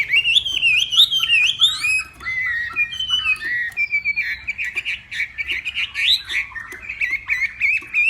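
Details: Morning singing duel by a northwest Vietnamese hwamei: long, varied melodious phrases of wavering, slurred whistles, broken into quick bursts and trailing loops.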